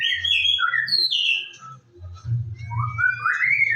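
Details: White-rumped shama singing in the morning, used as a lure to get birds singing: loud varied whistled phrases, some sliding downward, then a long rising whistle near the end, over a steady low hum.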